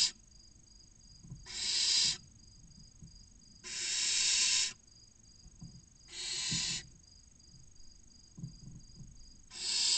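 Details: Six barn owl chicks aged 16 to 29 days, inside a nest box in Cabañeros National Park, Spain, waiting to be fed, give long, harsh hissing screeches about every two seconds over a faint steady hum.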